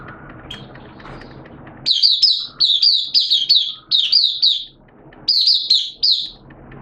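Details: Caged Oriental white-eye opening into song in wet, erratic weather: bursts of high, rapid twittering notes arrive in two phrases with a short gap between them, after a quiet start with low background noise.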